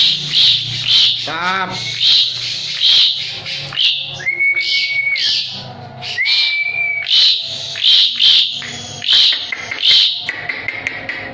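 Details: Asian pied starling singing actively (gacor), used as a master recording for training other birds: harsh, noisy bursts repeated about every second, with two long flat whistles and a short rising slur between them.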